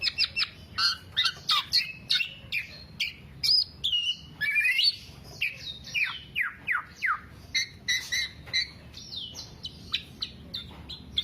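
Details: Black-naped oriole singing in 'teler' style, a recording for songbird keepers to lure or train their kept orioles; rapid bursts of sharp chirps and downslurred whistled notes, repeated with short pauses, over low steady background hum.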